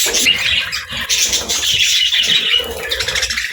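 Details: Happy budgerigars chirping: a dense, continuous chatter of harsh, buzzy squawks and high chirps that overlap with no pauses, lively throughout.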